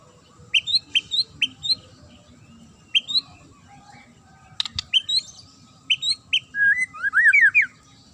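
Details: Sharp murai song used to goad other birds into replying: quick upward-slurred chirps in short runs, a loud click near the middle, then a fast tumbling run of warbled notes at the end.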